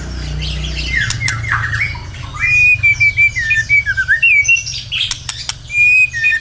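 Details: White-rumped shama singing to draw other birds into song: after a low hum at the start, sweet whistled phrases with dipping slurs and sharp clicks, notes steady and sustained near the middle of the range.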